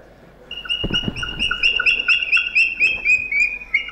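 Red-vented Bulbul giving a quick run of short, bright chirping notes, about two a second, with a few low thumps early on.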